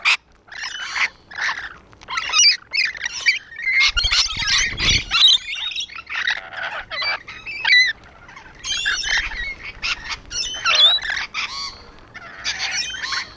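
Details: Rainbow lorikeets on a wall keep up loud grating screeches and rasping chatter, several birds calling over one another in rapid bursts, with a low rumble midway.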